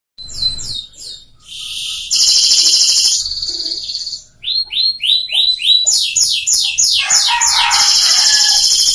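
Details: F1 Scotch Fancy canary kept in Bengkulu as a vocal tutor for young birds, brought from Jogja. Varied tours follow one another: short repeated notes, a sustained rolling trill, pulsed rising notes, then descending sweeps over lower buzzy notes.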